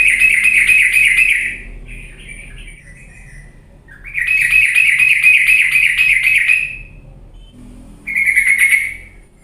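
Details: Sooty-headed bulbul recording used to provoke idle birds into fierce singing. Three loud pulsed buzzy trills, one lasting over two seconds, alternate with softer brief trill fragments over a low hum.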